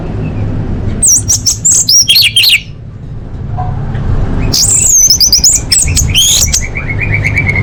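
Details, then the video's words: Female orange-headed thrush calling to males, a lure to make quiet birds sing: bursts of high, twisting whistled notes with sharp chirps, a pause, then a longer run of looping whistles ending in a flat sustained tone, over low rumble. "Suara Anis Merah Betina Gacor Untuk Memancing Burung Macet Bunyi"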